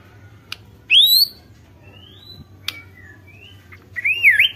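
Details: White-rumped shama song played to provoke other shamas: a loud rising whistle, quiet thin whistled notes with sharp clicks, then a wavering up-and-down whistle over low background hum.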